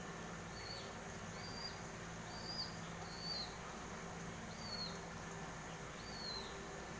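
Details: Common myna (Indian mynah) baby chicks give thin, high, downslurred squeaks, one about every second, with fainter higher notes above and a steady low hum behind.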